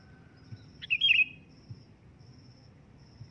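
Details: Sooty-headed bulbul call: one loud, fluty phrase with a quick pickup and a warbled whistle, then silence apart from intermittent insect ticking and low background noise.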